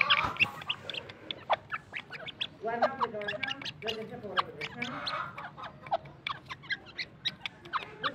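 Grey francolin giving rapid, sharp, high-pitched notes repeated in a quick run, with other squawking bird calls and faint voices mixed in.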